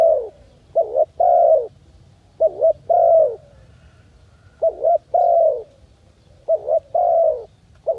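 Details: Soft, hollow dove coos in the jungle, each phrase a wavering short note and a longer sustained coo, repeated about every two seconds with faint background hum.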